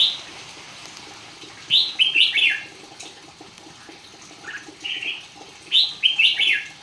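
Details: Red-whiskered bulbul singing in a song contest: short, bright, warbled phrases that rise and fall, given in bursts at roughly two-second intervals with quiet gaps between. Faint background hiss.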